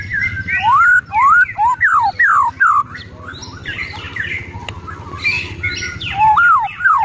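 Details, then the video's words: Ketrekan of an agitated white-rumped shama: loud, repeated down-slurred whistles in rapid succession, a quieter middle stretch of scratchy notes, then more slurred whistles. "ketrekan murai emosi"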